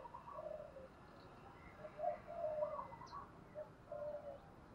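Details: Spotted dove decoy bird, 'thổ đồng' voice style, cooing to draw in wild doves: soft, muffled coos in a three-part phrase around two seconds in, then more drawn-out coos, over steady background hiss.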